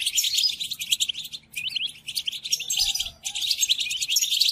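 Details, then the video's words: Tutoring song of the European goldfinch, played to caged birds to teach them: bright, fast twitter with buzzy and trilled notes in three bursts separated by short pauses. "قدم هذه الآصوات لطائرك الحسون وشاهد ماذا يفعل Chardonneret"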